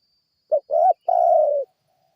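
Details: Spotted dove call used as a lure to draw responses from other birds; a short coo, a rising coo, then a long drawn-out hoarse coo, all low and mellow.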